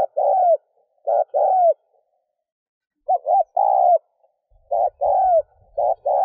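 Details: Spotted dove cooing to stimulate a decoy bird: mellow low coos in two-part phrases, a short note then a longer falling one, three phrases with a pause between, faint low thumps near the end.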